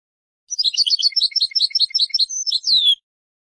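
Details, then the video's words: European goldfinch, from a song CD: a dense, lively jumble of chirping and tinkling notes with a few thin whistles, closing on a long descending slurred note; faint low clicks beneath. "Chardonneret - Carduelis Carduelis"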